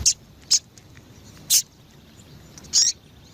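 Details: Female rusty-collared seedeater calling to excite males: four short, very high, piercing notes, the last a slightly longer double burst, spaced unevenly over about three seconds against a quiet background.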